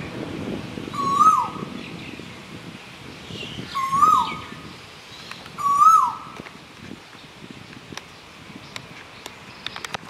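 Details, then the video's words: A male Asian koel on Koh Samui, Thailand, gives three loud, rising two-note ko-EL calls about two seconds apart, the male's mating cry that gives the bird its name, with faint high chirps behind them. "Птица коэль (an asian koel) самец"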